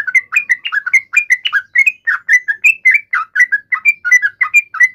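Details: Yellow-vented bulbul fighting call meant to provoke an answer, a brisk repeated sequence of liquid, downslurred chirps in pairs and triplets, continuous and loud.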